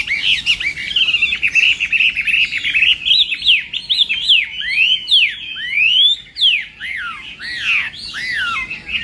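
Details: Chinese hwamei singing in the morning during contest-style voice training: a loud, continuous run of varied, rapidly sliding whistled notes, rising and falling sweeps delivered almost without pause over nine seconds, with no other clear sounds.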